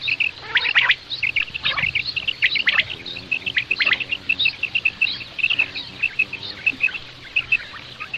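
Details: Common quail voice used for hunting: bright, high chirped notes in quick clusters, often grouped in twos and threes, repeating steadily with some overlapping calls.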